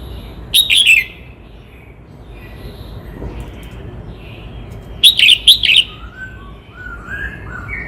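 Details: Red-whiskered bulbul from Cao Bằng, Vietnam, delivering two short bursts of bright, rolling warbled notes roughly four seconds apart, with faint distant chirps from other birds in between.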